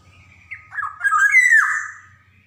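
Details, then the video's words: Black-naped oriole from Java, a lively singer used as a lure to get young birds singing, gives a few soft nasal notes, then a loud drawn-out harsh mewing call that drops in pitch at the end; faint low hum behind. "SUARA PANCINGAN KEPODANG JAWA | kicauan kepoxang emas gacor cocok buat merangsang kepodang bahan"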